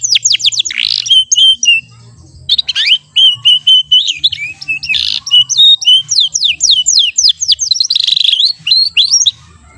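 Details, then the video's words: Young AF-type canary learning to sing, past the babbling stage and now singing steadily with short rolls: high, varied phrases of quick rising sweeps, rapid trills and clipped chirps, broken by brief pauses, over a faint low hum. "Kenari Paud Belajar Bunyi"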